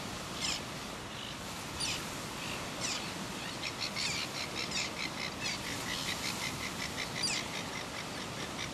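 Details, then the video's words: Red-billed gull pair recorded at Ruamahunga, New Zealand, on 18 October 2015, giving a run of high, harsh chattering notes, some clustered in rapid series, against continuous background hiss. "Red billed Gull mate"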